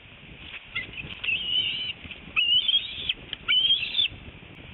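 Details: Bald eagle at a nest in northeast Florida, 25 February 2018, 10:31 am, as the mother brings a fish and feeds her eaglet: thin, high whistled calls, some rising then falling, given in a quick run of four drawn-out notes.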